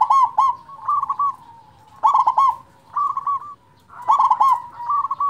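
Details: Local zebra dove with a large voice, meant to rouse quiet doves: alternating loud clicking bursts and rolling, purring trills, several phrases in quick succession with brief gaps.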